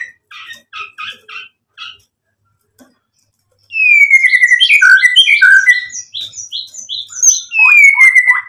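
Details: White-rumped shama used as a provoking song for other shamas: a few soft paired notes, silence, then an outburst of loud varied whistles, sweeping slurs and rapid repeated notes, ending with a long descending whistle.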